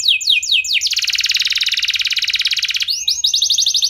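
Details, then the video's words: Canary singing a 'nembak' lure song to trigger other canaries: a few sweeping notes, then a loud, fast, even rattle lasting about two seconds, closing with a quick bright trill. "Kenari Anda Bisa Gacor Seketika Dengar Pancingan Kenari Nembak Joss Ini"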